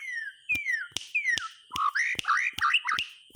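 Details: White-rumped shama singing to encourage silent shamas: clear downslurred whistles separated by sharp clicks, then twisting, warbled whistled phrases, all over a faint constant high tone.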